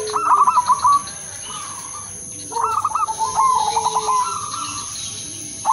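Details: Udanmas Silver Crossing zebra dove, kept to lure other zebra doves into song with its melodious rhythm. Two bursts of quick, clipped, trilling coos separated by a quiet gap, a softer dove calling low underneath, with a constant high hiss.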